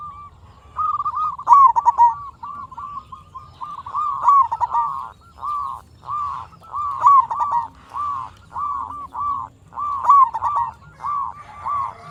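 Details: Local zebra dove singing steadily as a lure to draw replies from other zebra doves. Mid-pitched purring coos repeat almost without pause, roughly twice a second, and louder stuttered phrases return every three seconds.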